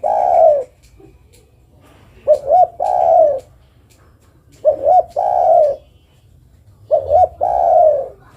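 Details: Spotted dove, a female calling for a male, giving repeated phrases of two brief upturned notes and a drawn-out mellow coo, about every two and a half seconds, four phrases in all against a quiet background.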